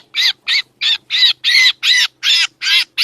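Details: Lure sound of a black drongo for trapping. Nine loud, rasping, buzzy calls come at nearly three per second, evenly spaced and fairly uniform in tone.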